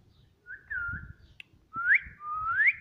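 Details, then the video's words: Pet parrot kept indoors, known for talking, giving a pair of clear whistled phrases: a short level tone, then two rising, upward-sweeping whistles, with faint room noise beneath. "Mummy Papa Bolne Wala Tota"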